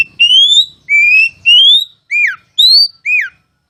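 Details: Oriental magpie-robin (kacer) masteran song: six strong whistled notes, long rising whistles alternating with short sharply down-slurred ones, about one every half second, with faint low hum beneath.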